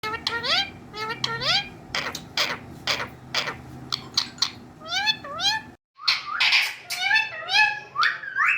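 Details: Pet Indian ringneck parakeet imitating human speech in Urdu and Hindi: bursts of speech-like syllables mixed with rising, nasal squawky notes, a short silent break midway, then more rapid chattering phrases.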